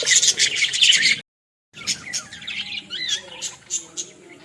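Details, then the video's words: Budgerigar chatter from a village: loud scratchy high warbling, a short silent cut, then quieter rising chirps and twittering notes in irregular quick succession. "Australian parrot original sounds"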